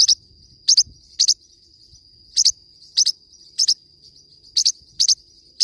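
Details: Forpus parrotlet singing with bright paired chirps, sharp and very high, coming in small bursts every half second or so, a steady faint whine in the background.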